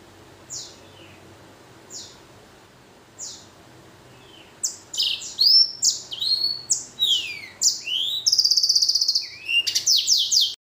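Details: Hybrid blackthroat x kenari, a canary cross, starts with three spaced single chirps roughly every one and a half seconds, then bursts into loud varied song of whistled slurs, fast rattling trills and sharp high notes.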